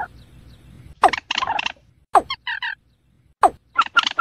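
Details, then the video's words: Watercock call: deep, hollow notes that sweep steeply downward, with bursts of buzzy, chattering pulses between them and sharp clicking sounds. "Suara burung ayam ayaman"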